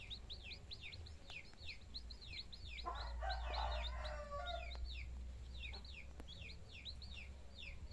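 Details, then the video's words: Hen with her chicks: steady, rapid high peeping from the chicks, about three per second, with a harsh, noisy hen call in the middle and low rumbling underneath. "GALINHA 🐔 E SEUS PINTINHO"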